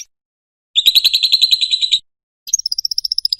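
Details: Ngekek song of a lovebird, used as a master sound for training lovebirds: a loud rapid buzzy trill lasting over a second, a pause, then a thinner, higher pulsed trill.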